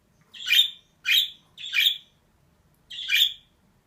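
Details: Four coarse, buzzy chirps from a female budgerigar: three in fairly quick succession, then a short pause and a final one, with little else audible.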